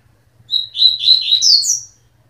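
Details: Coleiro singing a short high phrase of slurred whistled notes that climb step by step into a bright, rising flourish lasting about a second and a half.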